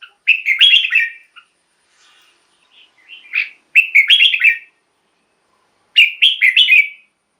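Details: Red-whiskered bulbul song, used as a decoy or to excite caged bulbuls: three short, liquid, warbled phrases about two to three seconds apart, each a quick run of rising and falling whistled notes. Quiet gaps in between.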